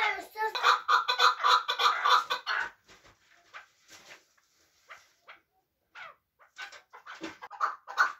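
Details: Chukar partridge from Muminobod, a hunting bird, with a fast burst of grating chuck notes for under three seconds, a near-silent gap with faint clicks, then the clucking resumes more loosely.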